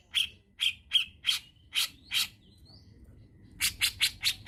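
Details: Grey-cheeked bulbul (cucak jenggot) used as an Indonesian lure recording for training songbirds: a series of harsh, buzzy notes about twice a second, a thin rising whistled slur, then a faster burst of five rasping notes.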